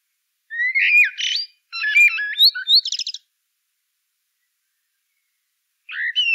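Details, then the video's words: A blackbird sings a fast, varied phrase of stepped whistles and quick rattling clicks. A short rising whistle follows after a pause of nearly three seconds. "CANTO DO MELRO PRETO-BLACKBIRD"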